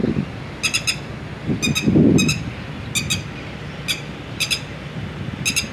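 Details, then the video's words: Red-wattled lapwing attending eggs and chicks, repeating clipped, piercing triple notes every second or so, with a constant low hum of distant traffic or wind. "ٹی ٹی ٹیٹاسک ھیک ءُ چورُکاں Red wattled Lapwing with Eggs and Chicks"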